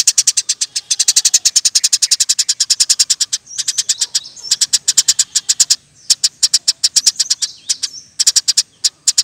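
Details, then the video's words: Eurasian tree sparrow singing nonstop, prized as a training recording for other birds: a dense, almost unbroken stream of sharp, high chirps delivered several per second, with only brief gaps. "Burung gereja gacor nembak rapet full alasan"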